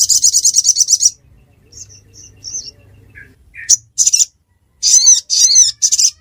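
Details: Ruby-cheeked sunbird in Reului, Aceh: a quick, high, stuttering trill, then soft scattered twitters and lower chips. Three loud, wavering, scratchy chirps follow in a tight rhythm.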